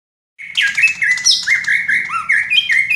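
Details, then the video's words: Caged cucak ijo (green leafbird) singing in the fast, dense "raja tembak" style while perched in one spot with body quivering: rapid run of whistled, slurred notes near the middle pitch, some buzzy higher flourishes, almost no pause. "cucak ijo " raja tembak ""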